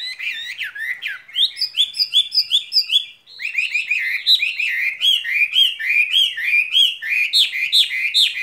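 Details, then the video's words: Caged skylark pouring out a spring love song: dense, high, sweet warbling of looping whistles and trills, with a brief pause partway through. "Chim quý ở lồng son ca bản tình ca mùa xuân"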